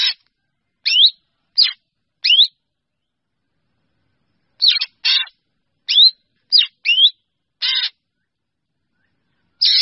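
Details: A drongo gives calls to its flock: clusters of sharp rising whistles and harsh rasping notes, grouped in bursts separated by a two-second silence.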